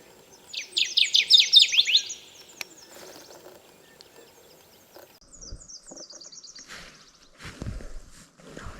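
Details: Kirtland's warbler on its breeding territory in Michigan jack pines, in June in early morning light, with many singing around, gives a loud, rapid burst of bright chattering notes under two seconds, a fainter song answering, plus voice and rustling.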